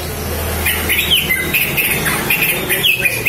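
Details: A female green leafbird gives quick, high chirps and short whistled slurs in a busy run, with a low rumble of traffic at the start; the call is used to provoke male green leafbirds into singing.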